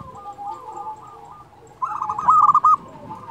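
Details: Local zebra dove singing actively, used to coax silent doves into song: soft, wavering coos at first, then a louder burst of four or five quick, ringing staccato notes before fading again.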